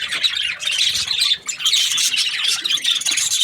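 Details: Several pet budgies chattering together in a dense, continuous stream of scratchy, high chirps and squawks with short buzzy trills, scarcely pausing across the few seconds.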